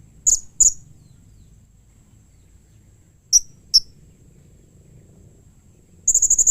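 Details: Blue-crowned hanging parrot calling to draw replies from other hanging parrots: two pairs of piercing high notes separated by silence, then a quick run of rapid, evenly spaced high chips at the end.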